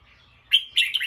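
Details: Bulbul turning alert at a sound: a sudden sharp high note followed at once by a harsh, buzzy chattering burst.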